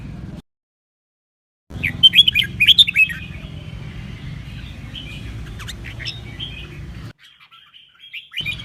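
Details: Two red-whiskered bulbuls singing in duet, used to stimulate birds into competitive singing; lively warbled and whistled notes, loudest early, then softer chirps over a constant low-frequency hum.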